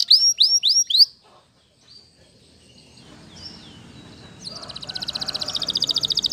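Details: Waterslager canary singing: a quick run of four bright descending chirps, then near silence with faint notes, building into a loud, fast, even rattling trill toward the end.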